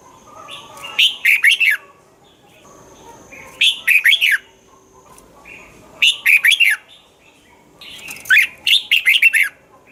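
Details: Caged red-whiskered bulbul singing, played to stimulate birds: four repeated phrases of bright, bubbly four-to-five-note warbles, about every two and a half seconds, with soft lead-in notes.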